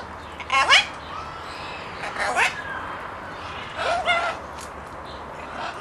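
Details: Talkative parrot producing scattered harsh, voice-like squawks and brief nasal bursts, with a short whistled note between, spread across several seconds with quiet gaps.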